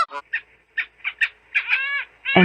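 Antarctic skua giving a string of harsh, nasal squawks, about two a second, ending in a longer drawn-out cry; a voice starts to speak at the very end.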